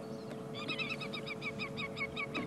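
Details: Senegal lapwings at sunset in Sabi Sand, South Africa, 6 February 2016, give a fast run of sharp, piping notes, about eight per second, as they fly past, over a low steady engine hum.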